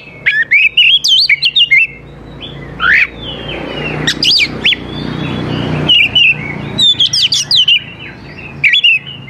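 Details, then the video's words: Oriental magpie-robin singing to coax young wild birds to answer, varied sharp whistles in quick runs, a quieter stretch in the middle with a low rumbling background. "KACER GACOR SANGAT AMPUH UNTUK MEMANCING KACER MUDA HUTAN BIAR IKUT NYAUT DAN LANGSUNG GACOR"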